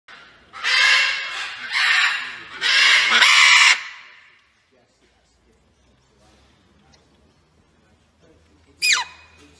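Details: Green-winged macaw shouting while dancing: three loud, harsh, raspy screeches run together over about three seconds, then near silence, ending with one short, sharp rising squawk.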